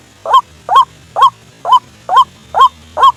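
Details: Repeated loud honk-like notes of a white-breasted waterhen, played as a lure to bring birds close to a snare at night; seven evenly spaced, slightly rising calls in three seconds over a low, quiet hum.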